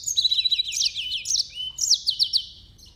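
Yellow-fronted canary singing a quick, high, sweet run of slurred notes and twittering trills, ending in a few evenly spaced downward chips.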